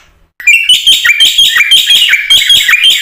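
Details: Captive black-winged myna singing at full volume, a recording used as a lure to train other mynas. Strident, chattering notes repeat about three times a second, with some whistled rising phrases. No other sounds are heard.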